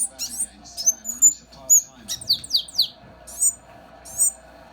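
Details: Male Mountain canary seedeater kept as a pet, singing indoors during winter: bursts of very high, sharp chirps and down-slurred squeaky notes in uneven phrases, with a faint low hum behind.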